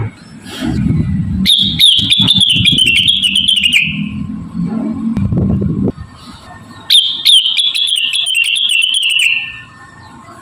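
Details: Javan cochoa song used as a model for training birds: two long, thin, high whistles, each wavering then sliding slightly downward for about two and a half seconds, broken by sharp clicks, with a low rumbling background between phrases.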